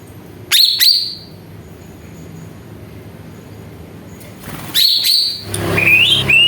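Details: Greater green leafbird song played as a lure to make other birds sing: short pairs of high whistled notes at the start and again after four seconds, ending with rising whistles, with a pause of low hiss between.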